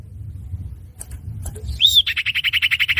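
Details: Common iora, male, lure sound used for bird trapping: a short upslurred whistle, then a fast, even trill of about fifteen sharp high notes, with faint low background rumble.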